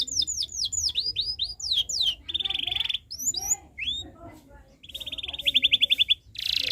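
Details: Canary chirping at length for young birds to learn from: cascades of descending whistled notes, buzzy trills, scattered upslurs and a fast rattling trill near the end.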